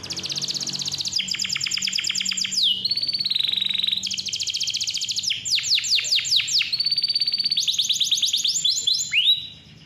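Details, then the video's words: Canary in full, clear, persistent song, used to lure young or reluctant canaries into singing: fast buzzy trills alternate with long rolling series of sharp downslurred notes and steady high whistled trills, barely pausing; faint low hum beneath. "KICAU KENARI GACOR SUARA JERNIH COCOK BUAT PANCINGAN"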